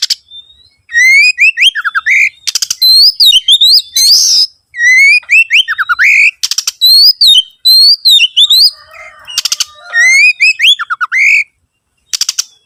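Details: Oriental magpie-robin song used as a lure to make other birds sing: loud, varied whistled phrases with rising and falling slurs, broken up by short harsh rasping bursts, with brief pauses between phrases.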